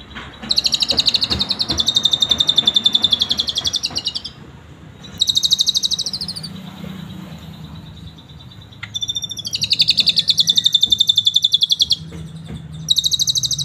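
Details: Asian pied starling performing canary-style imitations, kept for teaching other birds: long rapid chattering trills of high notes, three bursts separated by short pauses, faint background hum.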